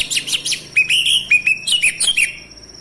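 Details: A male orange-headed thrush, whose song is played to provoke silent birds to sing, gives a lively, unbroken string of bright chirps and short slurred whistles, some rising and some falling.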